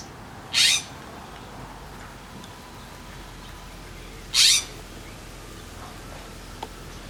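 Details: Blue Western scrub jay coping with strong wind near a feeding tray gives two loud, rasping, hoarse calls about four seconds apart, with a quiet breezy background between them.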